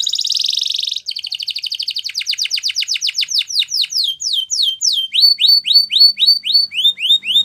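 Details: Canary singing a fast sustained trill, then sequences of downslurred whistled notes that broaden and slow, ending with repeated upward-swept phrases.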